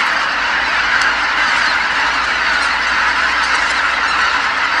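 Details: Geese by the tens of thousands calling all at once as they return to Kabukuri-numa marsh at dusk from feeding; a loud, steady mass of honking and yelping notes over a constant low hum.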